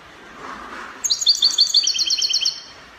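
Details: Spanish copia style song of a European goldfinch from Morocco, a rapid string of high, sparkling twittering notes lasting about one and a half seconds against a faint background hiss.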